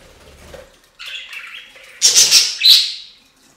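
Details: Budgies bathing in a fountain; soft warble and a water splash open, then loud, sharp, high chirps come in a quick burst of three or four notes before fading.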